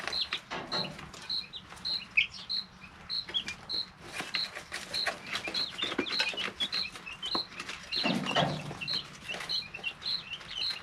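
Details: Three-week-old chicks in a brooder keep up a running series of short high peeps while frequent sharp clicks of pecking and feeding sound throughout, plus a brief rustle of bedding.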